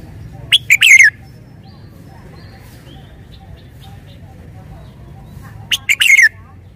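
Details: Red-whiskered bulbul singing with every note clearly stressed: a short loud phrase of quick, sharply rising then falling whistled notes, repeated after about five seconds of quiet with a low background hum.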